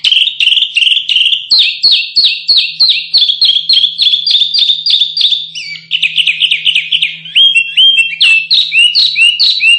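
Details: Canary singing for training contest birds: long series of fast repeated chirps in bursts, one rolling tour after another, switching to quicker rattling syllables midway, then to slower rising-falling whistles, over a faint steady hum.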